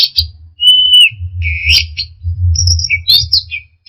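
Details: Orange-headed thrush in 'teler' style, delivering a clear level whistle, then buzzy slurred notes and high thin whistles, with a droning low hum beneath throughout.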